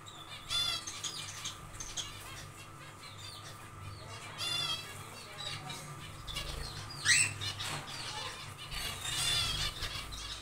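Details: Aviary zebra finches during nest building give a few loud nasal, stacked calls spaced several seconds apart over soft chirps, wing flutters and a constant hum.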